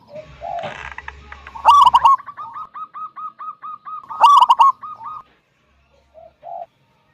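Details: Local wild zebra dove singing loudly to lure other doves into calling: bursts of rough, loud notes around one and four seconds, each followed by a steady run of soft, evenly spaced cooing notes, with a quieter second caller near the end.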